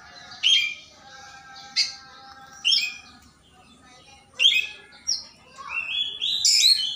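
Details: Morning song of an Oriental magpie-robin seeking a rival: separate sharp whistled bursts spaced about a second apart, ending in a run of clear sliding whistles, with a faint steady tone underneath.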